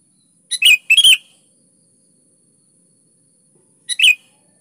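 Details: Lively sooty-headed bulbul song meant to provoke other bulbuls to sing: a quick burst of three gurgling notes, a three-second gap, then a shorter two-note phrase. No other sounds intrude.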